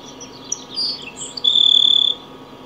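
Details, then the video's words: Grassland sparrow song opening with scattered high, thin whistles and chips. These lead into a dry, buzzy trill of rapid repeated notes held level for about half a second, over a low steady hum. "El Cachilo O Chingolo Ceja Amarilla Cantando."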